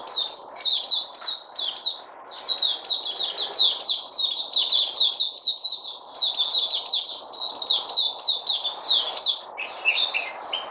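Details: Puteh, the white-eye, recorded 03082020 in a long, lively high-pitched twittering song of rapid chip notes, briefly pausing near two and six seconds before racing on.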